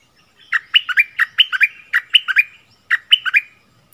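A bulbul sings three bright, bubbly phrases of quick rising and falling whistled notes, each about a second long, with short pauses between.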